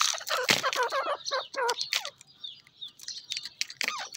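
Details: Grey francolin (teetar) calling loudly: a rapid run of harsh, clucking notes that rise and fall, delivered in quick bursts and then fading into softer, scattered notes.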